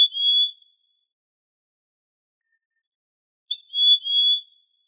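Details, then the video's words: A Trinidad euphonia (Euphonia trinitatis) sings clear, high, pure whistled notes: one short note, then after three seconds of silence a longer, slightly wavering one, with no other sounds. "Canto De La Curruñatá Saucito"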